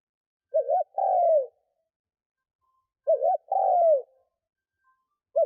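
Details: Spotted dove used as a decoy to lure wild doves, cooing: two phrases, each a quick doubled low note followed by a long, smooth, falling coo, separated by about two seconds of silence; no other sounds.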